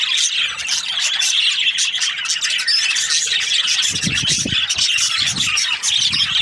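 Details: A continuous mass of high, scratchy chirps and chattering from budgerigar breeding pairs, with occasional low knocks in the background.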